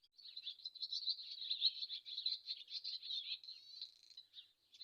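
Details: Steady, unbroken swallow twittering: a bright, high chatter of rapid buzzy and squeaky notes running for several seconds with no pauses, loud and clear.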